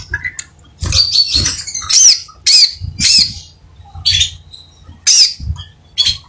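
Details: Lively singing from a crimson sunbird: loud, high, squeaky chips with quick upward-hooked notes, delivered in separate bursts about once a second, with a faint low background hum.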